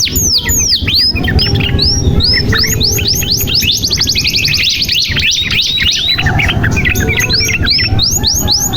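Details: Canary in full song, played to stimulate stalled or young birds: dense overlapping whistled arcs and fast buzzy rolls, continuous and energetic, with a faint low hum beneath.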